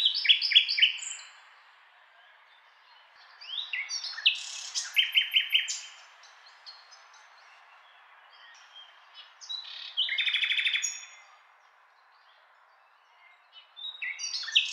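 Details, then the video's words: A common nightingale sings varied phrases of rich whistles, rapid chattering trills and sharp notes, each burst a second or two long, separated by short pauses. "Nightingale Sound"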